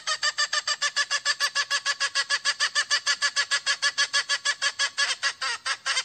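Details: A hen calling to find a rooster gives a fast, steady run of harsh, clucking notes, about five or six a second, with no other sounds.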